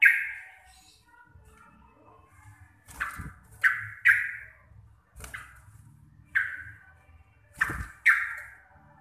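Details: Sooty-headed bulbul of the local Javanese type in receh-style calling: single and paired abrupt chirps that fall and fade, scattered irregularly over nine seconds against a faint low rumble.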